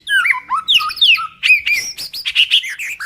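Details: Male white-rumped shama, a caged songbird, singing a rich varied song of clear whistled slurred notes, rising and falling, followed by quick bright phrases and chattering trills.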